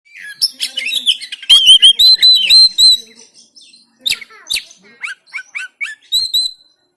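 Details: Oriental magpie-robin recorded on an Android phone in Banten, used to coax silent birds into singing: rich varied song of sweet whistles near steady pitch mixed with rapid chattering notes and short sharp chips, phrases separated by brief pauses.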